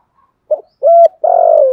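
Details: Spotted dove giving a coo in the style called thổ sấm: a brief low note, then a steady mid-pitched hoot, then a long vibrating coo that slowly falls and is cut off at the end. No other sounds are heard.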